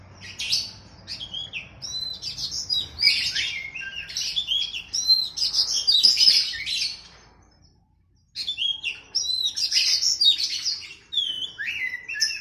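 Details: Masteran song of an oriental magpie-robin versus a sooty-headed bulbul, played to train caged birds. Two long bursts of energetic, varied whistling and chattering notes, split by a short silence.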